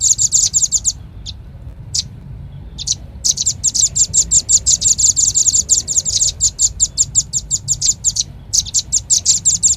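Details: Velvet-fronted nuthatch, lure call for attracting birds: bursts of fast, shrill chips separated by short silences, then a long sustained rapid series of high notes.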